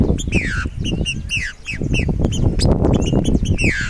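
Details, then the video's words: Uncaged Green-winged saltator (Saltator similis) singing repeated downward-sliding whistles, some sweeping low, against a steady rumbling background noise and many short high chips from other birds. "TRINCA FERRO DESTRUINDO SOLTO"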